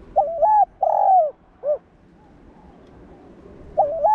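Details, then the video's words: Spotted dove coo meant to fire up captive doves: a low wavering note, a broad sustained coo and a quick short tail note, then a quiet gap before the next phrase begins. "Cu gáy kích bổi / chim cu gáy kích bổi gáy cả ngày/tiếng chim cu đất gáy kích bổi tập mồi hiệu quả"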